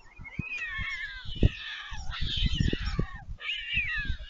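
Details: Begging white stork fledglings on the nest at Leemansmolen, Vriezenveen, Netherlands, July 11 2022, as a parent arrives to feed. Dense, harsh mewing calls over a steady patter of low thumps, with a final sliding wail.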